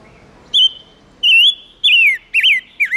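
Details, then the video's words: Silver-eared mesia singing as a lure to draw in wild birds: a sequence of five loud clear whistles, the later ones slurred downward and wavering, spaced roughly half a second apart. "Tiếng chim ngũ sắc hót kích trống căng lửa"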